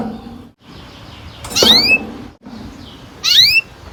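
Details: Captive canary singing, meant to prompt young canaries into long rolling song: two bright bursts of quick upward-sweeping whistled notes about two seconds apart over a low, soft background murmur.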